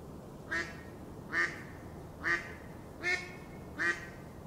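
A Mallard gives five nasal, rasping quacks, each short and spaced under a second apart, over a steady low background hiss.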